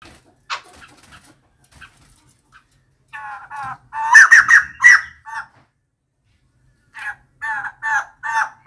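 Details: Female white-crested laughingthrush calling, a sound used as a decoy: a faint note, then loud harsh bursts of raspy, laughing chatter in two clusters, about three and then four rough notes, with quiet gaps between.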